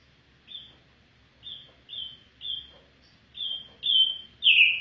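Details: Afghan bulbul singing: a series of short, clear whistled notes, each slightly falling, repeated about once a second and growing louder toward the end, over a quiet background.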